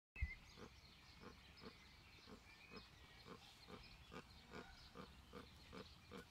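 A Magellanic steamer duck gives a steady series of low, hoarse grunts, about three a second, with a faint thin whistle at the start.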